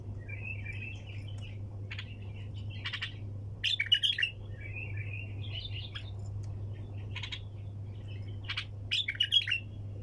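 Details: A bulbul sings 'tak janah' phrases in the 'sayyad' style. Short warbled runs alternate with abrupt, clipped bursts several times, with gaps between phrases. A constant low electrical hum sits beneath.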